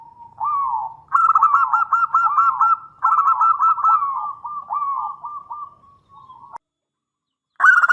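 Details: Local zebra dove in full song, a long-opening style used to prompt and tutor other doves: soft lead-in coo, then two rolling runs of quick throaty trilled notes that taper and fade, a fresh burst starting at the end.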